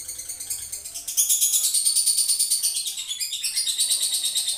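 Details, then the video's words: Male lovebird giving a long ngekek trill: after a brief quieter start, a fast, steady stream of high, shrill chattering pulses runs unbroken for over three seconds, about three pulses per second. "lovebird jantan ngekek durasi"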